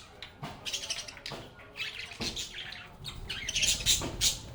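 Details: Group of lovebirds chirping and chatting together while playing, giving short high twittering bursts mixed with sharp clicks and rustling, with louder, sharper chirps near the end.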